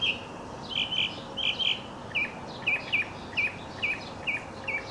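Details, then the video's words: Mockingbird singing as he leaps and tumbles in a song-and-dance display: paired bright chirps at first, then a string of single sharp notes spaced roughly every half second over a quiet background. "Mockingbird Song and Dance Routine"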